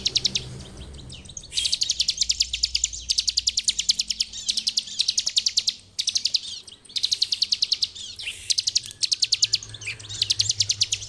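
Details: Long, nearly continuous ngebren song of a bar-winged prinia for training other birds: fast high ticking notes running in a steady stream, briefly broken near six and nine seconds, over a soft hum.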